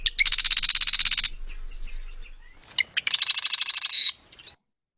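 Marsh Wren song: two rapid, rattling, mechanical trills of high buzzy notes, each about a second long, like a tiny machine gun.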